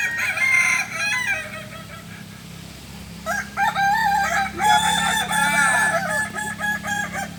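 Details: Kukuak Balenggek roosters crowing together during training in Ampang Kualo, Kota Solok, Indonesia; overlapping long, stepped crows with wavering notes, several birds at once, and a low steady hum beneath.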